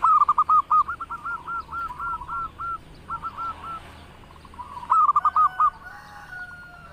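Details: Local zebra dove singing vigorously: soft cooing trills around one pitch, rapid bursts of rolling notes followed by quieter spaced phrases, a second loud burst near the end.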